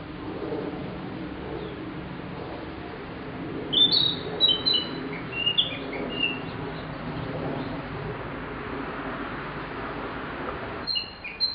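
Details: A Narcissus flycatcher, recorded over ten years ago, gives a brief burst of high slurred whistles in the middle and a short phrase near the end, with long stretches of hissing background noise.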